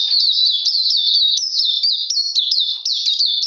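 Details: Oriental magpie-robin singing in cold, rainy weather on 13 June 2020, an unbroken stream of loud warbled whistles that wobble up and down with quick sharp jumps in pitch.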